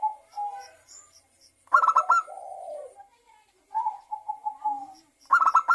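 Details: Local zebra dove in full voice, recorded as a lure to make other doves sing: gentle coos, a sudden rapid pulsed phrase, a low drawn note, more steady coos, then another fast stuttering phrase.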